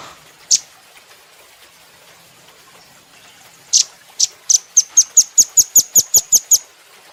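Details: Velvet-fronted nuthatch, known locally as rambatan doraemon, in a training recording for cage birds: a sharp high note, a pause of about three seconds, then a fast run of about eleven thin, high chips repeated evenly.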